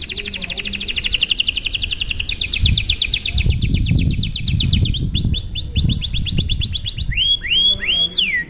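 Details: Canary performing a long, showy song to encourage other canaries: sustained fast high trills changing speed, ending in sweeping whistled notes, with low rumbling noise underneath.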